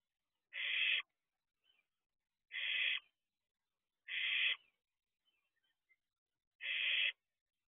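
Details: Barn owl owlet looking out of its nest box at night: four grating, breathy screeches, evenly spaced about two seconds apart, with soft faint ticks in the pauses.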